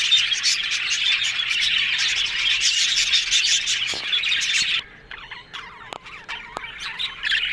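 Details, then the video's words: Several yellow budgerigars chattering happily, a thick warbling babble for nearly five seconds that suddenly thins out to scattered softer chirps and a few clicks. "Yellow Budgies Talking Sounds Happy"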